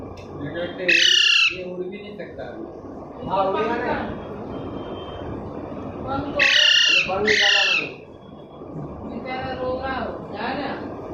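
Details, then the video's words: Parrot chick on its way home in Panvel, a Sunday in March 2019, squeaking off and on: several harsh, buzzy squeaks, including a quick pair mid-way, over background speech. "The squeaking parrot chick"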